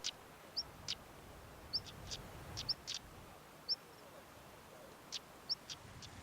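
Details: European stonechat alarm calls along gritstone edges in the Peak District moors in spring, around early May: thin, rising 'hweet' whistles alternating with sharp, pebble-clacking 'tak' notes, about every second, over a faint windy hush.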